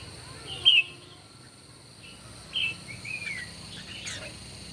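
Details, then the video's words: Red-whiskered bulbul heard during a morning singing contest: a loud bright whistled burst, a pause, then a pair of quick phrases and a gliding slurred note, over faint steady hiss. "Chim Chào Mào Hót Đấu Buổi Sáng Cực Căng."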